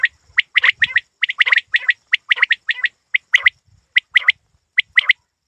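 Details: Crisp repeated chirps from a hunting quail, delivered in runs of two to four notes with short gaps, clear against a quiet background.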